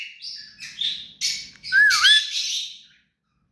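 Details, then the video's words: Hand-tame rose-ringed (ringneck) parakeet gives a run of harsh, scratchy chattering notes, then a clear whistle that dips and rises sharply, in a quiet indoor room. "Mithu parrot hand taime and clear sound"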